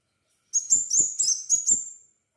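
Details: Crimson sunbird singing actively, used as a lure to prompt sunbirds to sing: five quick bursts of thin, very high twittering notes over about one and a half seconds, each with a sharp whistled stroke, against a silent background.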